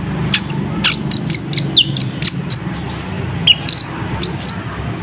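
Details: Olive-backed sunbird (kolibri ninja) with a sharp lure song meant to draw wild birds into answering: thin high chirps and short downslurred whistles about every third of a second, with steady low background hum throughout.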